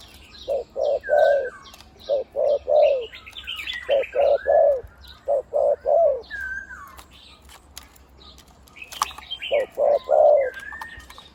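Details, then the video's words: Decoy spotted dove of the one-kuk kind, cooing khu-ang almost continuously. Clusters of three or four low, hollow coos come in four bursts, the last of each bending downward. Many small birds chirp and whistle in the background. "นกต่อVIP 1กุกเสียงใหญ่คูอ่างเกือบตลอด"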